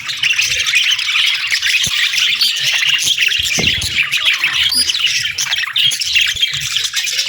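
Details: Budgie flock chattering on a peaceful morning, a dense weave of high chirps, trills and squeaks with a soft low hum in the background.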